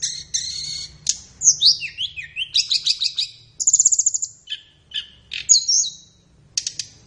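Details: Flowerpecker song used to train captive birds in the morning or afternoon, very high and varied: swooping slurred notes, buzzy stacked chirps, a rapid even trill, and scattered sharp ticks with short pauses.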